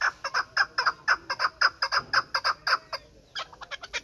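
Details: A chukar partridge of the Pamirs, held as a hunting bird, repeats sharp, grating chuck notes about twice a second, stops briefly near the three-second mark, then resumes with quicker, softer notes.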